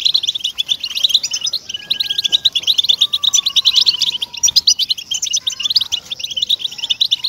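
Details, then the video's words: {'caption': 'European goldfinch song used to get captive goldfinches singing: long, busy run of bright twittering and jangling notes, with faint drawn-out whistles in the background.'} "ESTIMULADOR DE JILGUEROS"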